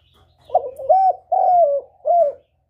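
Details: Close, loud spotted dove phrase used as a trapping lure: a short opening note, two long hollow coos sliding downward, then a final shorter coo.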